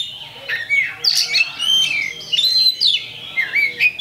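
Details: Champion kacer, the Oriental magpie-robin, giving a fight-provoking lure song: loud whistles alternating with scratchy squawking notes and quick rising slurs.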